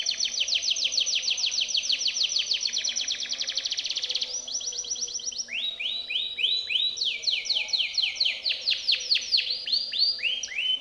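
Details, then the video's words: Timbrado canary in full training song for other canaries: a long fast trill of bright notes, a brief change of tempo, then slower loud descending swoops and varied whistled phrases. "Timbrado canary's most powerful song for training / canary training song"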